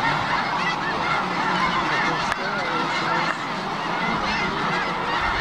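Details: Snow geese in a large flock in Skagit Valley, Washington, calling continuously: a dense overlapping chorus of nasal honks and yelps with no pause.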